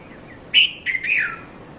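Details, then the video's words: A red-vented bulbul gives a quick run of bright, liquid chirps, the last note slurring downward, over a quiet background; recorded at dawn, 5:30–5:40 a.m., at Mount Lavinia, Sri Lanka. "Red-vented Bulbul Bird Voice | Sounds of Bulbul"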